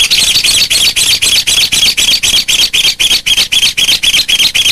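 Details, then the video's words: Two ncuab birds calling together, with a long, even series of scratchy high-pitched notes repeated at a fast, steady pace of about four per second. "Ib nkawm ncuab quaj zoo heev"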